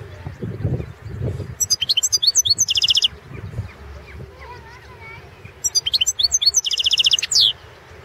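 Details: European goldfinch, Balkan form, singing for a 2016 online world song championship; two phrases of sharp liquid twittering that end in rapid trills and a downslurred note, with faint lower chirps and background rumble between them.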